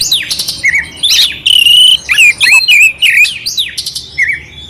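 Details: Oriental magpie-robin, clear song with rough fill-in notes used as tutor material to arouse a sluggish bird; quick succession of bright whistles, upslurs and harsh chattering bursts, loud and varied.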